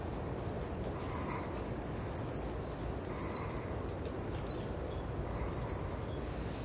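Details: Dark-sided flycatcher recorded in Yilan, Taiwan, giving five thin, high downslurred call notes roughly once a second, each followed by a fainter trailing note, against a constant rushing background noise.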